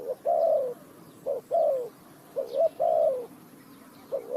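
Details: Spotted dove in a bird-trapping setting, Ninh Thuận: repeated phrases, each a short low coo, a brief rising note, then a longer drawn-out falling coo, about one phrase per second, over a quiet rural background.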